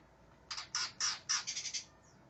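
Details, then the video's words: Angry greater green leafbird seeking a challenger, giving a quick series of about seven harsh, raspy, broadband bursts, spaced roughly a quarter second apart, then a faint thin whistle. "cak ijo NGAMUK cari LAWAN"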